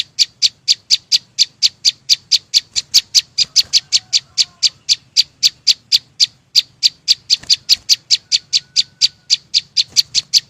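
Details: Chim sâu xanh delivering an unbroken string of sharp, high-pitched chips at roughly four per second. Notes are loud and uniform throughout, with a faint low hum in the background.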